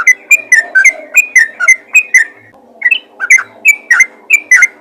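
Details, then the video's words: Chattering yellow-vented bulbul summoning other bulbuls: brisk, liquid whistled notes repeated several times a second, with a short softer gap midway before the fluty series picks up again. "panggilan burung trucukan ropel gacor memanggil trucukan lain"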